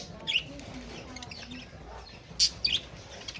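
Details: Caged budgerigars kept with a rabbit make a few sharp squeaky chirps, one pair near the start and a louder cluster later, against quiet rustling.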